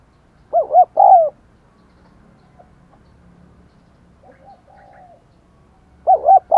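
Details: Decoy spotted dove with a 'Đồng Còi' voice, cooing and calling to provoke wild doves into cooing. Two low, mellow, hooting coo phrases, each with quick rising-falling notes, open the recording. A quiet stretch follows, then the phrase returns at the end.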